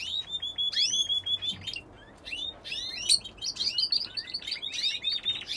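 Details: Belgian canary singing in an aviary: a lively, continuous stream of high chirps, trills and rising whistled notes with quick rolling phrases and no pauses.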